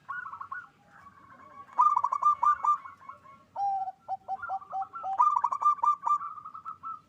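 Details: Several local zebra doves at a breeding farm in Bekasi, West Java, Indonesia, sing loudly and actively to raise mating drive. Overlapping staccato trilled coos around one pitch, bursts of rapid beaded notes with lower hooked coos between.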